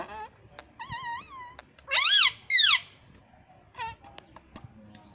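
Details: Talking pet ringneck parrot said to speak "mummy papa" at home: a wobbling nasal phrase, then two loud arched squawk-like syllables, and a shorter echoing note before faint clicks.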